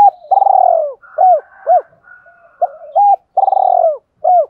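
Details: Decoy spotted dove cooing in the morning to lure wild doves: low, hollow coos. Long throbbing notes sag slightly in pitch, mixed with short arched notes, in uneven phrases with brief pauses. No other sounds.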